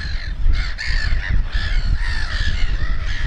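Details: Black-headed gulls with fluffy chicks at RSPB Snettisham, Norfolk, 29 May 2018 around 4:23 pm, giving harsh, raspy, drawn-out calls that overlap almost without pause over a steady low rumble of wind.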